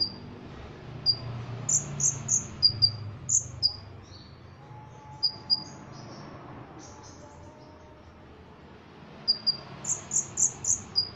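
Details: Ruby-cheeked sunbird singing with mimicry of cotton-cricket and Cililin phrases. High, thin chips and brief buzzy rattles come in scattered bursts, quieter through the middle, with a low rumble underneath.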